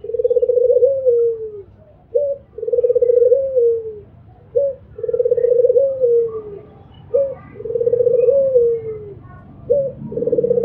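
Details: An albino Barbary dove coos steadily: a long, low, rolling coo falling at the end, then a short clipped note, repeated about every two and a half seconds.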